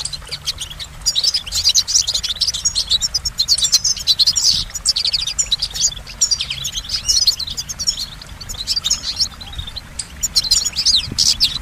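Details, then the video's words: Goldfinch delivering a long, continuous song of quick, bright, high chirps and tinkling trills that run almost without break, varied and energetic, over light background hum. "Goldfinch Motivation Performance"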